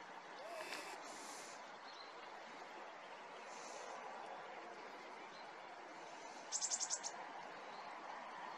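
Blue tit giving thin, very high notes, then a quick run of about six sharp ticks, over a steady rushing background hiss.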